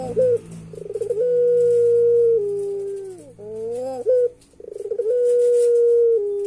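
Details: Caged turtle dove (puter pelung) giving its laughing call, described as eerie: stuttering pulsed openings that run into long, level drawn-out tones, two similar phrases separated by a brief dipping and rising slide.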